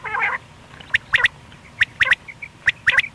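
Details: A single male quail, the batair, calling during morning or night hunting: short, sharp, high chirps in quick clusters of two or three, after an opening burst of rough, harmonic, nasal notes.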